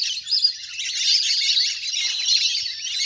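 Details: Large wild flock of ducks splashing about in water, recorded in nature for luring birds down: a dense, continuous chorus of high, thin twittering whistles overlapping without pause.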